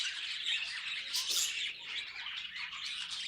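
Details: Pet budgerigars squawking and chattering, with a loud shrill screech burst just past one second amid continuous high, rasping warble.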